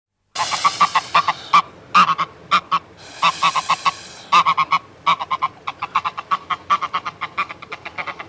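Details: Adult greylag goose recorded close up in a threat display: rapid runs of harsh, nasal cackling honks in quick bursts, broken by two stretches of breathy, broadband hissing, then more staccato cackles to the end.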